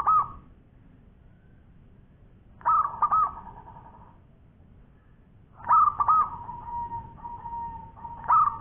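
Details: Local zebra dove in long-voiced song: repeated phrases of two or three rolling, throaty coo notes, one stretched into a long level tone, with pauses of about three seconds.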